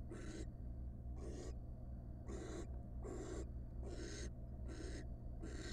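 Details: Wild barn owl at its nest box as the male brings a very large rat on the first nestling's hatching night; breathy rasping hisses, six bursts with short gaps, steady low background hum.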